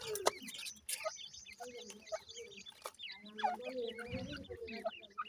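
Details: Grey francolin chicks feeding, high wavering peeps and chirps layered with low rustling and occasional loud knocks.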